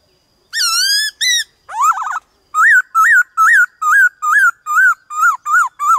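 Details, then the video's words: Varied 'đảo giọng' song of a white-cheeked laughingthrush in wild-standard voice, played to excite caged birds: two long clear whistles and a wavering note, then about ten short arched whistles, roughly three per second. "Khướu bạc má Hót Đảo Giọng kích bổi cực nhạy/Luyện khướu bạc má hót giọng chuẩn rừng"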